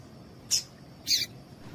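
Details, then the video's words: Female Double-collared Seedeater (coleiro tui-tui) call used to excite males and get them singing: two short, sharp, high chips about half a second apart over a quiet low hiss. "Piado de Fêmea de Coleiro Com Piado de Fêmea de Coleiro Quente para Esquentar Coleiro tui tui"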